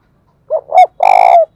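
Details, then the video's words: Decoy spotted dove calling to rouse wild doves to fight, giving one loud cooing phrase: two short rising-falling notes followed by a longer, rough, vibrating coo that fades downward. "Chim Cu Mồi Thúc Đấu, tiếng gáy hạp bổi, bổi nghe gáy"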